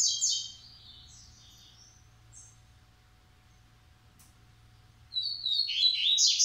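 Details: Coleiro (Coleiro Massai and Coleiro baiano), kept birds from a breeding aviary; high thin chirped and trilled phrases at the start and again near the end, with a long quiet gap and low steady hum between.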